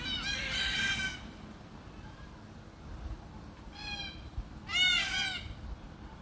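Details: Red-tailed black cockatoo feeding on beach almond (Terminalia catappa) seeds in Australia: three harsh, rolling, buzzy calls, a long one at the start, a brief one midway and a loud drawn-out screech near the end, over low background rumble.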